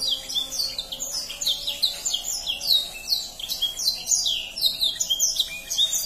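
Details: Canary singing in rich variation to encourage young birds, quick high chirps rising and falling in rhythmic bursts, several notes per second, steady and unbroken, with a faint low hum behind.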